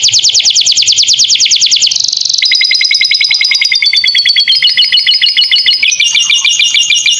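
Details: Canary master song with lovebird-style additions for young songbirds: fast bright trills, a brief buzzy roll, then a long level rapid trill that steps up in pitch near the end.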